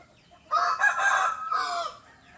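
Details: Rooster giving a short crow of about two seconds, a hoarse, broken cry in two loud parts with a faint background hum.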